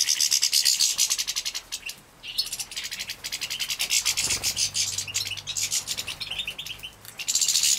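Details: Captive-bred young European goldfinches at feeding time in Poland, 2017, give a dense, high-pitched twittering chatter of rapid thin notes, several birds calling over one another with brief pauses.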